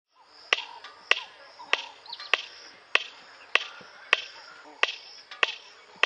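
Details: Red-crested korhaan (Lophotis ruficrista) in Kruger, South Africa, calling with sharp, dry clicks spaced about every half second, with faint chirps of other birds behind.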